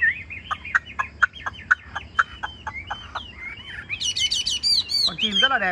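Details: Chinese hwamei kept in a cage in Vietnam repeats a crisp, clipped note roughly every half second, then breaks into high, sweeping, rapidly looping whistles.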